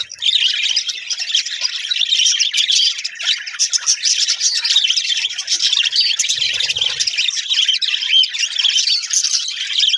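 A flock of budgerigars chatters continuously with dense, scratchy chirps and warbles.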